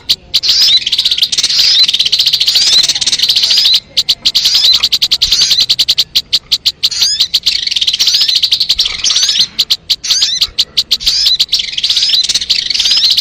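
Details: Sogon song for luring birds: long, dense, high-pitched trills and twittering, running almost continuously with short breaks, shrill and buzzy.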